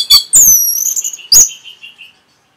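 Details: Orange-headed thrush training song for caged birds: two loud, high, sweeping whistles sliding downward, each trailing into soft, fading lower warbles.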